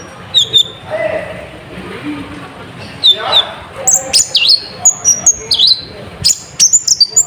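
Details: Sunbird song used as a lure to excite other birds: thin, high whistled notes and sharp rising and falling chirps, sparse early then coming in quick bursts, with faint low background murmuring.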